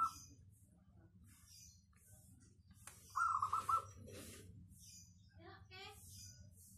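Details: Local zebra dove song, clear and dense in tone: one short burst of rolled, throaty cooing notes midway, with scattered high chirps from other birds and a low background rumble.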